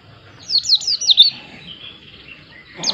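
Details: White-eye pouring out a fast string of high zigzag whistled notes lasting about a second, followed by quiet and a fresh burst at the end.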